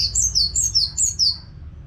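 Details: Caged orange-headed thrush singing nonstop; a quick run of high, clear whistled notes, each sliding downward, repeated about every quarter second, with a faint low hum underneath.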